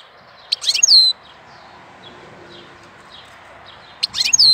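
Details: European goldfinch in April, singing two loud twittering bursts with sliding high whistles about three seconds apart, quiet scattered chirps between, over a steady low hiss.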